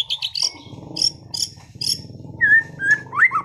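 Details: Competition-class caged white-rumped shama in Sragen delivering varied material: sharp high chips, then several looping whistled notes that slide up and down, over a steady low background hum.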